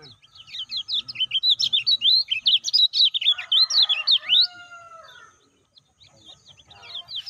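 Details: Lemon-bellied white-eye, heard as a stimulus recording for caged birds: four seconds of rapid, evenly spaced, high chirping notes that rise and fall, a brief buzzy rasp, then a quiet gap before softer chirps resume.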